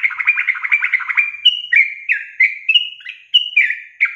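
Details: Yellow-vented bulbul, in a long-trill training recording for songbirds: a rapid bubbling trill of about a dozen quick notes opens, then clear whistled phrases alternate between higher and lower pitches, slurring downward.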